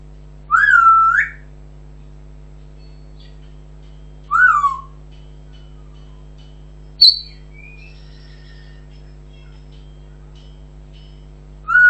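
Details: Pet African grey parrot producing three separate short whistles, each dipping and rising, spaced several seconds apart, with a sharp click in between and a soft steady hum throughout.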